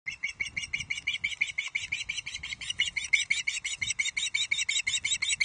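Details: Juvenile male Osprey at Loch Arkaig, 31 July 2023, shrieking ravenously as a parent brings the day's first fish, a headless trout; rapid high chirping notes, about three per second, with faint low background rumble.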